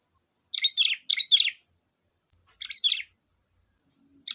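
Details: Lively sooty-headed bulbul song used as a lure sound: quick pairs of bright, bubbling chirps separated by short pauses, with a faint constant high whine throughout.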